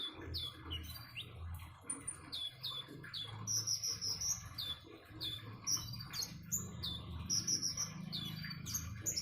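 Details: Common iora song with splashing water nearby, a busy run of high, quick chirps and short trills, some notes rising, others dropping, delivered almost continuously over a low background rumble.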